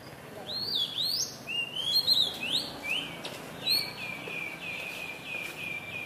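An oriental magpie-robin sings a varied run of clear, sweet whistles, rising and falling slurs, ending in a series of short repeated notes.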